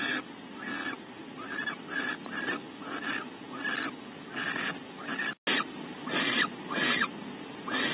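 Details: Barn owl pair in a cavity at Audubon Starr Ranch, California, on a bonding visit with the male delivering prey from the pantry; a long run of short, wheezy hissing bursts, briefly broken by a moment of silence midway.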